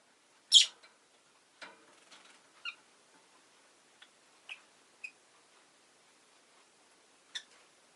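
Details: One loud, piercing chirp from a rosy-faced lovebird opens the clip, then softer short squeaks and clicks trail off over several seconds, with a final sharp note near the end; the recording also carries background street noise.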